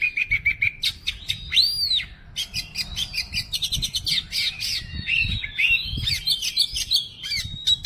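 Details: Oriental magpie-robin (kacer) delivering 'bongkar materi', a display of its song repertoire: quick repeated chips, one rising-and-falling whistled note, then dense mixed trills and scratchy phrases, with a faint low rumble behind.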